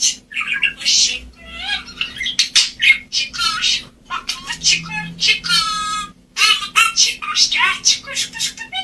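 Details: Budgerigars talking like humans, mimicking human speech; rapid run of syllable-like chatter and squeaky buzzy phrases with short gaps, and faint music in the background.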